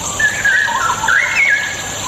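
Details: Straw-headed bulbul song used as bait to coax reluctant birds into singing: a short burst of rich, liquid warbled notes sliding up and down, over a steady high hiss.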